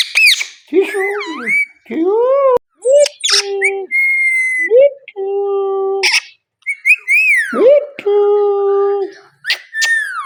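An Indian ringneck parakeet talks in clipped, high, harmonic words, mixed with sliding whistles and short squawks, in bursts with brief pauses.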